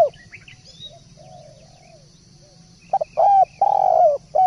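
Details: Spotted dove in full song for a bird-training recording. About three quiet seconds with faint background noise, then a loud cooing phrase: a quick double note followed by two drawn-out mellow coos, the second bending downward.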